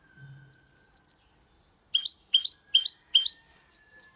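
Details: Goldfinch × canary hybrid singing clean Malaga-style song: spaced high downslurred chirps, then a regular series of buzzy double notes repeated about every half second, with a faint low hum.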